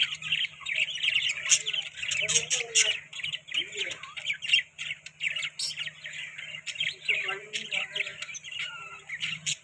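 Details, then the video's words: Budgies chatter loudly while eating soft food, a continuous high warbling of chirps and squawks with some lower gurgling notes, over a low background hum. "Beautiful Budgies Eating Soft Food|Budgies Chirping Sound"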